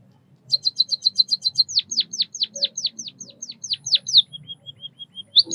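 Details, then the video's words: A white-headed munia opens with a quick run of very high ticking notes, then a series of sharp downward-sweeping chirps. It closes with soft, level, evenly spaced pips. "Suara kicauan burung Pipit emprit Bondol kaji gacor 323 | Bird chirping sounds | white headed munia"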